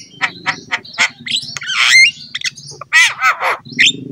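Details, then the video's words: Black-winged myna song played to train pet mynas: evenly spaced harsh chips, then a long grating squawk and a series of loud buzzy notes, with a steady low rumble underneath. "KICAUAN JALAK KEBO GACOR INI PANTAS DIJADIKAN MASTERAN SEMUA JALAK"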